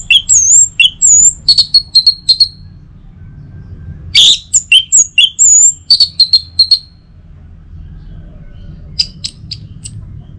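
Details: Orange-headed thrush song, played in the morning to stimulate other birds to sing: loud, high whistled notes and slurred phrases in bursts, some falling, with sharp clicks, then a quiet gap and a few faint high notes.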